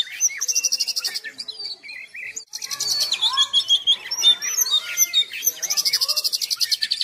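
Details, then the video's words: Oriental magpie-robin singing without pause: repeated bursts of fast pulsed buzzy trills alternating with quick varied chirps, slurred whistles and chattering notes, the trill returning strongly near the end amid other faint twittering. "Burung Kacer Gacor Tanpa Henti"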